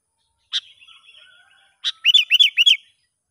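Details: Sooty-headed bulbul in the wild, recorded while a young lure bird is tested: two sharp clicks with a faint warble between, then three loud, slurred notes that rise and fall, given in quick succession.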